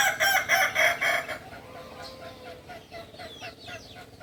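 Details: Rooster of the native Kukuak Balenggek breed from Solok, West Sumatra, ends a crow in rapid pulsing beats for over a second. Small birds then chatter and twitter quietly in the background.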